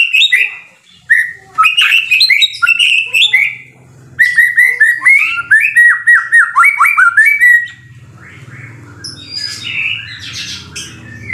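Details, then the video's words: White-rumped shama singing hard as tutor material, fast run of sliding whistled notes and crisp chips, growing into a long rippling series, then fading into softer distant twitters over a steady low hum. "MASTERAN MURAI BATU SUPER GACOR"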